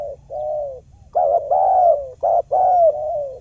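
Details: Trapping lure of a spotted dove calling, meant to draw a reply from quiet doves: three phrases of soft, low coos, each a brief clipped note followed by a longer drawn-out falling coo.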